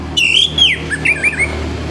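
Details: Orange-headed thrush singing in the morning, a recording meant to stimulate other birds: loud whistled phrases, a long slurred note falling from high pitch, then short twisting warbled notes, over a low steady hum.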